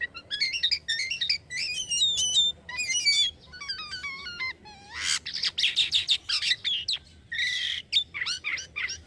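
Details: Steady singing from a kept Indonesian Black-winged myna: fast repeated stepped whistle figures, then one low swooping note followed by harsh broadband rattles and squawky chatter in quick succession.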